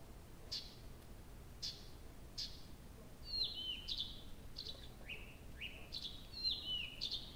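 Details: Nightingale singing all night in early June at Abramtsevo, from 23:00 on 6 June 2021: slow single high clicks accelerating into a lively mix of swept whistles and short trilled phrases.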